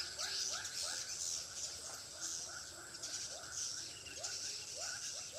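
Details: Call used to attract swiftlets into a multi-storey swiftlet house in Pekanbaru: short rising twitters in loose bursts, backed by a continuous shrill hiss.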